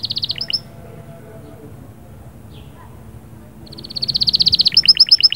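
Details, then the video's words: Canary singing to stimulate the female: a brief rapid trill and chirps, a pause, then a long rolling trill building into loud doubled chirps. "صهصهات وبتبتات طائر كناري غول و تغريد🔥🔥 يجهزلك الانثي فوراcanary1"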